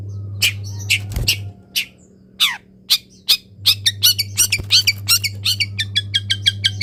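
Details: Long-tailed shrike kept in a cage, sung out after misting and sunning in the morning with its cover opened; quick harsh squawks and scattered chirps build into a dense run of short high notes, about three a second, over a constant low hum.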